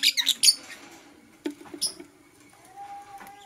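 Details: Shrill, scratchy chirps from green and blue personata lovebirds in the morning. A quick run of harsh high notes opens the clip, then a few scattered squeaks follow, with a steady faint thin tone underneath.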